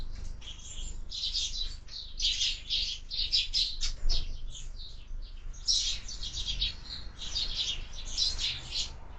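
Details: Sparrow chicks at a window-mounted feeder, recorded on a live feeder camera: dense, rapid chirping in overlapping bursts throughout, harsh high notes clustered in repeated groups, with a steady low background rumble.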